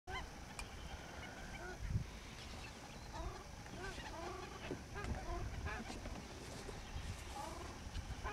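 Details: Indian skimmers on the Chambal River, India, 28 November 2007: a flock giving many short nasal barking notes, overlapping and irregular, some with quick up-down inflection, over a constant low rumble of background noise.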